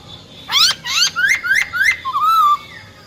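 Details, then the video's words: Wild-type song from a female silver-eared laughingthrush, used to stimulate males: five quick, upward-sweeping whistled notes at a steady pace, then a softer wavering whistle. "Tiếng Chim Khướu || Khưới Mái Bạc Má"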